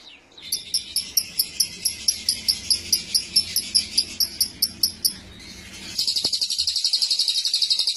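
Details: Lovebird in ngekek style, with cililin-type fill-in phrases: a fast series of sharp, high chipping notes repeated about twice per second for five seconds, then a brief pause and a dense, continuous high buzzing trill.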